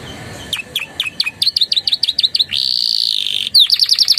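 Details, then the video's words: Canary with Javan tesia and bar-winged prinia phrases in its song: a run of quick clipped chips, then a long flat buzzy trill lasting a second, then rapid high notes. "SUARA KENARI GACOR ISIAN CIBLEK PRENJAK"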